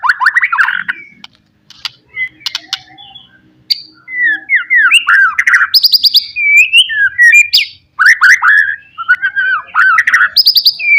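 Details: White-rumped shama, locally murai batu, singing a lure song meant to provoke rivals: loud, rich whistled phrases, rapid falling slurs and sharp high notes in varied bursts with short pauses.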